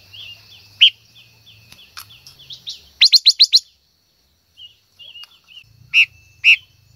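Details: A female silver-eared mesia sings to stimulate a male, with soft, falling notes, a fast run of about five loud, high notes, scattered soft warbles, and two isolated loud, rich notes near the end.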